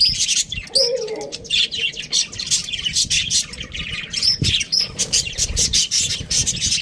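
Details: Parakeet chirping in fast, high, scratchy bursts, with a brief lower warbled note early on and a dull thump midway.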